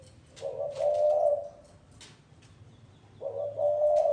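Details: Spotted dove cooing in the gáy gù style known as cu gáy lối: two soft, throaty coo phrases, each rising slightly then held, separated by a quiet gap, with light background clatter.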